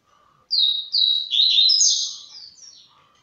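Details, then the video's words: A white-shinned bird beginning its song delivers one bright, high phrase of overlapping buzzy notes that step down and then climb, lasting about two seconds, with soft low chips before and after. "Passarinho canela branca começando a canta"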